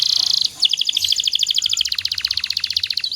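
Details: Canary master song for training other canaries: a brief buzzy roll, then a clear rapid series of paired high notes slowing into evenly repeated sharp chips.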